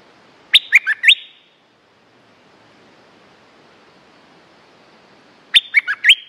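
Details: Stripe-throated bulbul song used as a lure recording for territorial birds: two loud phrases of quick, bubbly, rising and falling whistled notes, each about half a second long, separated by a steady hiss.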